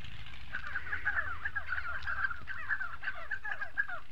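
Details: Recorded in South Morocco, Spotted sandgrouse keep up a fast, overlapping series of guttural, falling notes, a continuous gurgling chatter over steady low background noise.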